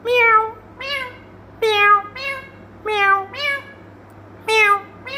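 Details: Indian ringneck parakeet talking: short voiced syllables rich in overtones, some rising then falling, given singly or in quick pairs about every second, with a low steady hum underneath.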